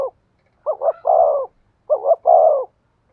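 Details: Decoy spotted dove giving two hollow, throaty coo phrases in the 'thổ' voice, each a short wavering double note then a longer steady coo, in otherwise quiet surroundings.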